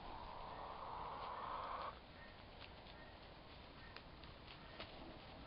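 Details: Young turkey toms around four months old in a drawn-out fight; a rough, vibrating purr holds for nearly two seconds, followed by soft rustling and scattered clicks from the scuffle.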